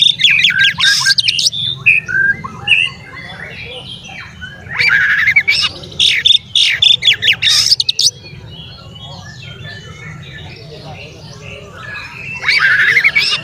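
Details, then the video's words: Kacer or Oriental magpie-robin, a prolific singer used as a lure to agitate other magpie-robins: loud bursts of harsh, rapid chattering and squawks separated by quieter spells of soft warbling, over constant low rumble. "SUARA BURUNG KACER GACOR ngeplay santai MANGGIL kacer auto KONSLET buka ekor TERAPI KACER agar EMOSI"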